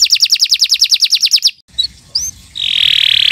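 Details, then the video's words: Canary in long morning song kept for training other birds: a rapid pulsed trill for one and a half seconds, a brief pause with a couple of thin whistled notes, then a sustained harsh buzzing rattle. "Kicau Burung Kenari 144 II LUAR BIASA GACOR PANJANG Cocok untuk Masteran"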